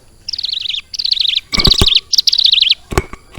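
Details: Pet ciblek gunung prinia imitating lovebird song: four wavering, trilled high phrases of about half a second each, mixed with loud clattering cage knocks.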